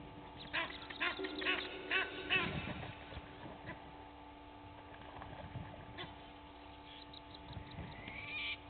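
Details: Egyptian geese, two families fighting at Gowrie dam waterhole, Djuma Game Reserve, Sabi Sand, South Africa, early morning in April: a burst of harsh, rapid honking in the first three seconds, then quieter scattered calls over a steady low hum.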